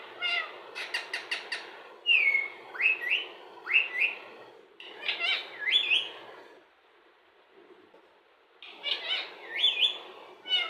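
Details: Talking Indian ringneck parrot imitating words: a quick burst of clipped notes, then rising whistled, speech-like phrases repeated in short groups, a two-second silence, and more whistled phrases.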